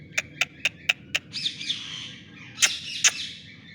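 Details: Newly acquired green ringneck parrot talking: a run of five sharp clicks about a quarter second apart, then wavering whistled and squawky voice-like sounds and two loud harsh notes near the end.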